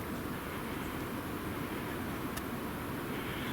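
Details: Steady, dense rumble of passing traffic or a vehicle fills the whole stretch, with no animal calls audible above it.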